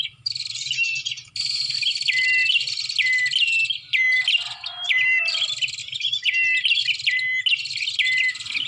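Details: Lure sound of bar-winged prinia used to attract birds: steady, loud, high twittering with fast buzzy trills and crisp downward-dropping whistle notes repeated in quick succession throughout.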